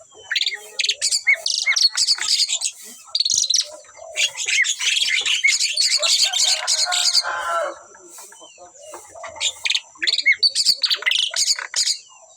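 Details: A pair of Asian pied starlings singing very actively, a dense run of harsh, squawky and chattering notes mixed with whistles, broken by a short lull near the middle before the chatter resumes; a faint steady high hiss runs underneath.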